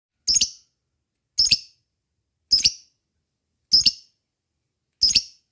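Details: Lovebird call used as a lure to stir other lovebirds into singing: five sharp, shrill, very high chirps, each a quick double note, spaced about a second apart over a quiet background.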